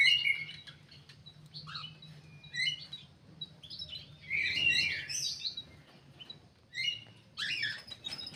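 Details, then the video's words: Kidangan kaso kaso bird kept in an aviary for care and breeding, singing bursts of high, squeaky whistled and warbled phrases separated by short pauses, with a low steady hum underneath. "BURUNG KIDANGAN KASO KASO"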